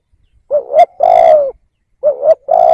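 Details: Decoy spotted dove used to lure wild doves, giving a wavering rising lead note then a long smooth coo, followed by the start of a second identical phrase about 1.5 seconds later.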